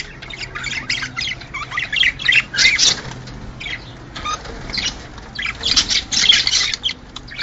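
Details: Male budgerigars singing, a sound meant to excite males and females to mate: bursts of scratchy, chattering warble separated by brief pauses, with a faint low hum underneath.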